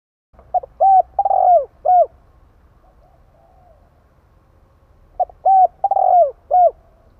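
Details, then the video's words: Kích bổi call of a spotted dove for attracting wild doves: two mellow four-note cooing phrases, the third note long and sliding downward, with a faint murmur between the phrases. "Chim cu gáy gọi kích bổi nhanh nổi hiệu quả"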